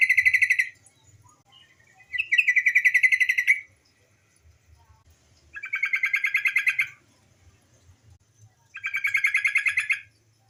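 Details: Female yellow-vented bulbul calling, used as a lure to get untrained males singing: four bursts of rapid, buzzy chattering notes, each about one to one and a half seconds long, separated by pauses, with faint low rumbling underneath.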